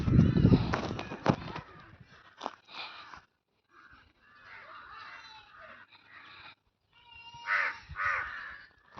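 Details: Indian crows in green village surroundings near Hosur: loud low rumbling at the start, then harsh, nasal caws in irregular bursts separated by short quiet gaps.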